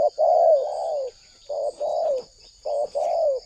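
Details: Spotted dove lure recording from Indonesia, meant to draw wild doves into answering: three rolling, throaty coo phrases, each a short note then a longer falling one, over a steady high thin whine.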